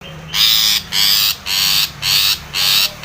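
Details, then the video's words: Long-tailed shrike in full, lively voice, used as a lure to provoke rivals into calling: loud, harsh, raspy bursts, each about a third of a second long, repeated roughly twice a second with a low steady hum underneath. "SUARA cendet gacor MEMANGGIL LAWAN"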